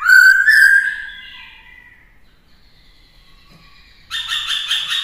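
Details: A captive black-throated laughingthrush sings varied wild-type voices, used to train young birds: a loud, rich whistled phrase that rises, then fades, then after a pause a burst of quick, harsh chattering notes.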